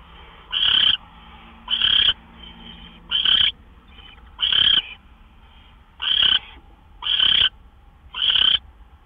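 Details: Gopher deliveries at an owl nest after midnight on March 26, 2013; seven loud raspy screeches spaced about a second apart, with one faint softer hiss among them.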